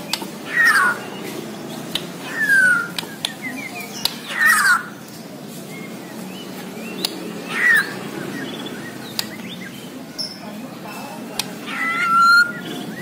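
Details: Singing white-rumped shama from Borneo giving loud, separate slurred whistles, each a brief downward glide, spaced a few seconds apart. Scattered clicks and faint background noise fill the gaps.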